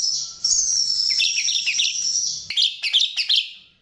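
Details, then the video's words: Chestnut-tailed starling lure song: a long high whistle with twittering underneath, ending in a series of five or six loud, sharp chip notes. "Pancingan Jalak RIO RIO"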